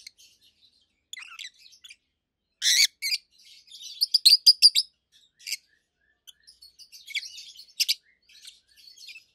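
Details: Two healthy adult peach-faced lovebirds, red-head green opaline and white-head pallid aqua opaline, chatter indoors: a loud harsh burst, then quick strings of high, sharp chirps, rapid and uneven.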